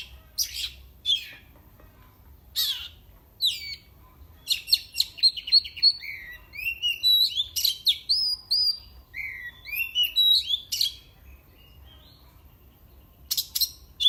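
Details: Kept oriental magpie-robin singing to provoke rival birds. The song is varied and whistled, with sweeping and rising notes, sharp chips, and bursts of rapid phrases separated by short pauses. The background is quiet.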